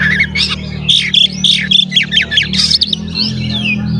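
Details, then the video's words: A male magpie-robin delivers rapid, jumpy whistled phrases in tight repeated groups over a steady low background hum, a recording meant to make rival magpie-robins agitated. "SUARA BURUNG KACER GACOR ngeplay santai MANGGIL kacer auto KONSLET buka ekor TERAPI KACER agar EMOSI"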